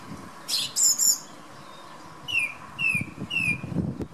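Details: A male thrush's morning song outside a bedroom window: a high double phrase, then three matching down-slurred whistled notes about half a second apart, against wind noise.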